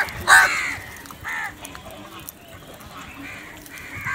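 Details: Crows squabbling over food; one loud harsh caw near the start, followed by several fainter, shorter caws spread through the rest of the clip against a steady background hiss.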